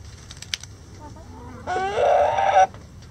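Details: Backyard chickens scratching in the coop in light rain. Soft clucks and rising notes lead into a rooster's loud crow, a grating, harmonic cry of about one second that ends abruptly. Gentle rain hiss continues throughout.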